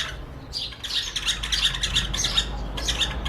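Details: A pair of White-eared Bulbuls in Rajasthan sing on a window sill, treating their mirror reflection as a rival in a song battle; harsh, chattering bursts of notes with little pause, steady low hum beneath.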